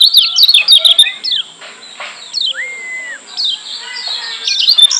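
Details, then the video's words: Persistent singing of a Lombok yellow white-eye, used to provoke other white-eyes. Quick high twitters are broken by long, arched whistled notes, then softer chatter and another burst of sharp chirps at the end. "Masteran Kecial Kuning Joss NGOTOT Ampuh Bikin Kecial Yg Denger EMOSI KEPANASAN‼️"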